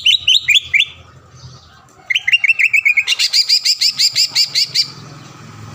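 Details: Green leafbird singing loudly to provoke a rival into instant song and agitation: a few hooked whistled notes, then a run of sliding chirps, followed by a fast, steady series of sharp high repeated notes that stop abruptly.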